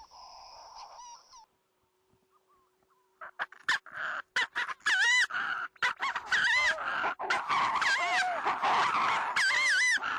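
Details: Manx shearwater in its burrow on the Isles of Scilly, answering a played recording it takes as a challenge during a survey; after a brief played call and near-silence, rapid loud cackling, crowing notes pour out in a rhythmic, harsh, repeated series.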